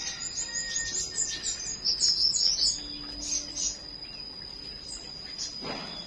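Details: Flowerpecker in the morning giving a fast, high twittering run of tiny ticking notes, then a few more scattered chirps, with a steady high whine running underneath throughout.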